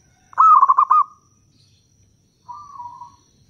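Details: A local zebra dove sings a lure song meant to make wild doves answer. One loud, stuttering phrase of about six quick coo pulses is followed by a softer, level rolling coo reply.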